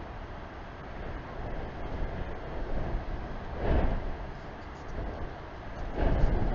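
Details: Outdoor rumble of wind buffeting the microphone, rising in gusts, with no calls audible.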